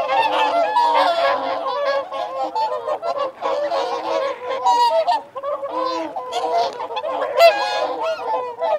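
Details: Feeding and territorial calls of whooper swans among wigeon and mute swans, a continuous mass of loud nasal honks and bugling notes overlapping without pause, with sharper high-pitched squeals standing out now and then.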